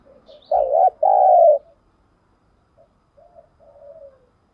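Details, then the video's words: Decoy spotted dove cooing to lure wild birds: a loud phrase of a brief wavering note and a longer sustained coo, followed by a quiet pause and then soft, trailing, falling coos. "Chim Cu Mồi Thúc Đấu"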